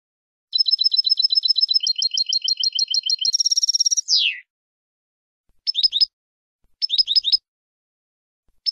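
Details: Goldfinch song meant for training a finch, a long rapid trill of high repeated notes shifting in pattern, a short buzzy burst, a downward slur, then short clusters of quick chirps after pauses.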